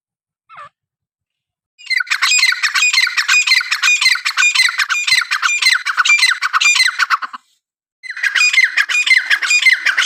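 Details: Francolin, locally irani teetr, giving a long loud run of fast squawky chattering notes, sustained for several seconds, then a brief pause before the chattering resumes.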